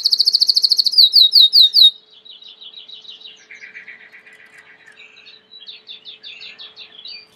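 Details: Belgian canary song moving through tours: a loud rapid high trill, then slower swooping notes, followed by a quieter run of varied buzzy trills and chattering phrases.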